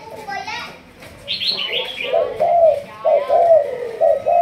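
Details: Caged Malaysian spotted dove of the 'thúc gù' cooing line, in training as a decoy bird: after a quieter opening with a brief chirpy burst, several rounded coos follow in quick succession.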